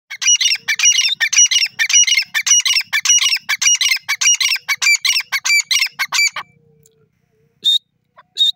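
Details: Black francolin (Sindhi teetar, kala teetar) calling loudly: a rapid, harsh, chattering series of squawky notes, roughly two per second, running for about six seconds before stopping. Two short, high notes follow after a pause.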